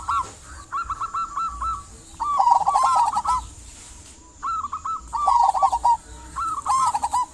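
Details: Local zebra dove singing eagerly as a lure for silent doves; staccato cooing phrases of five or six quick notes, some rising then tumbling lower, repeated with short pauses.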